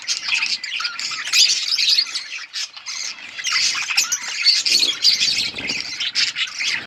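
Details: Colourful budgerigars in a noisy flock: continuous high, buzzy warbling and squawks in overlapping bursts, with a brief lull midway before the chatter swells again.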